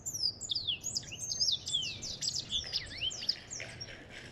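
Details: Song of an African goldfinch, a rapid tumbling series of high whistled slurs, many sweeping downward or rising, mixed with sharp chirps and twitters that run on without a break; low steady hum underneath.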